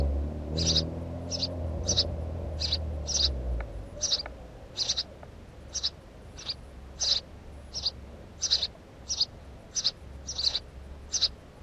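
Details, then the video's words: Long series of about sixteen short, high chirps from a house sparrow, delivered at a brisk, slightly uneven pace; a low humming drone fades out during the first few seconds. "Воробей домовый"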